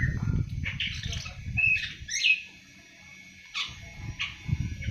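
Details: Awar-awar, a young bird of seven months beginning to sing: a few squeaky chirps and a short whistled note, then a pause and more scratchy notes, over low rumble.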